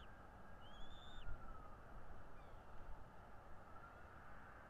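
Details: Bald eagle at a nest in North East Florida, filmed by a nest camera on 13 February 2022 at 10:10: a thin, high whistled note that slides down, then fainter piping, over heavy steady background rumble and hiss.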